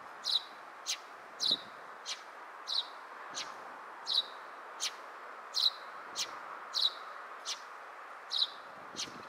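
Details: A Eurasian tree sparrow (Passer montanus) in Japan on 25 April 2023, around 13:08, chirps steadily, with short bright notes about every half second, over a low hum of distant traffic.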